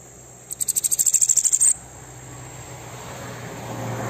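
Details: Bananaquit aggressive song for stirring up other birds: a quick, rising-in-volume string of high, crisp ticks lasting just over a second, over a faint continuous high whine and soft hum.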